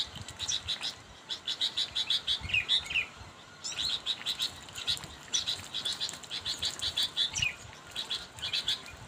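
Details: Sooty-headed bulbul heard calling a rival: two long bouts of fast, high chatter with some wavering slurred notes, separated by a short break, over a quiet background.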